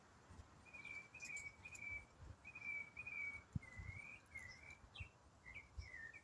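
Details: A songbird sings in autumn, one bird delivering a long non-stop complex riff: clear whistled phrases, some flat and sustained, others bending up and down, strung together almost without pause. Faint low thumps sound underneath.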